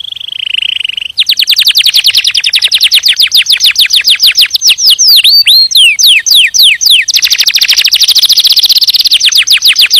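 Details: White canary singing a loud, fast song of rapid repeated trills, starting with a short buzzy note and then running through long series of sweeping notes, with a brief run of downward-swooping notes mid-song.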